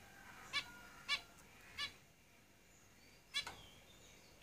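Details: Caged zebra finches giving short nasal, honking call notes with stacked harmonics, five spaced about half a second to a second and a half apart, over a quiet background.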